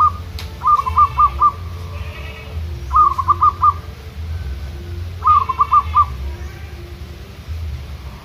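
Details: Local zebra dove singing against wild rivals in natural surroundings as training. Three clear phrases of about five rapid stuttered notes, spaced a couple of seconds apart, with faint murmuring and low background rumble.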